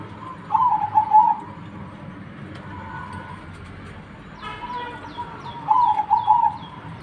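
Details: Zebra dove singing: soft, rolling coo phrases on an even mid pitch, one burst early and another near the end, with a brief sharper note between them over a quiet, low background hum.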